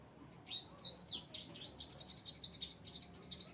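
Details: Bar-winged prinia singing a lively string of high, clipped chirps that speed up into quick, evenly spaced notes, several per second, with faint background hum.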